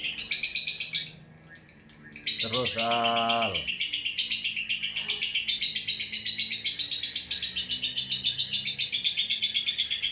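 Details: Lovebird ngekek, a long unbroken trill: buzzy chattering notes in quick regular pulses, briefly broken by a short pause and a low voiced sound before the trill resumes steadily.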